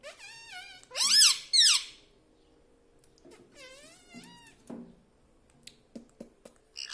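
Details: Talking parrot at home repeating "mummy papa": a nasal drawn syllable followed by two loud rising-falling calls, a pause, another long wavering utterance, then soft taps and clicks.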